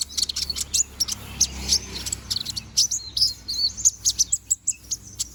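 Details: Konin bird, a young bald bird growing its feathers, singing steadily: rapid series of thin, high chirps and short whistled notes, sharp and closely spaced throughout, with faint low hum underneath.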